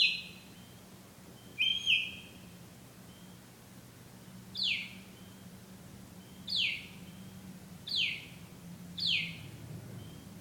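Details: Bird singing at night, giving a string of sharp descending whistled notes, a double note near the start then single notes roughly every one and a half seconds, low hum behind.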